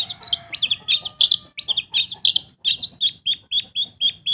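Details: Long-tailed shrike kept as a pet, singing vigorously as a lure to make silent birds sing: a rapid run of sharp, high chattering notes, some buzzy, repeated about once a second with short gaps.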